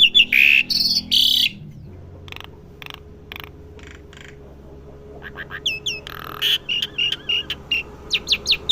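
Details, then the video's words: Asian pied starling living in a house, learning to sing: harsh rasping bursts open the phrase, a quiet stretch follows with soft ticks, then rapid looping whistles and grating notes return toward the end. "jalak suren rumahan belajar bunyi"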